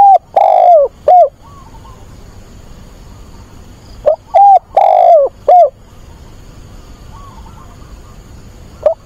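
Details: Decoy spotted dove kept to attract wild birds, calling to find a mate: deep, mellow coo phrases of three to four notes, the long middle note dropping, repeated every few seconds over soft background noise and faint distant chirps.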